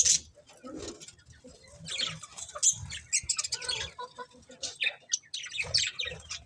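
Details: Pet budgerigars chatter in busy, overlapping high chirps and clicks, a steady scratchy twitter with short louder peaks.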